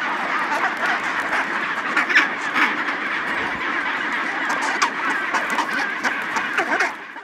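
A dense chorus of chinstrap penguins: harsh, braying and squawking calls from many birds overlapping continuously, with a few louder cries standing out.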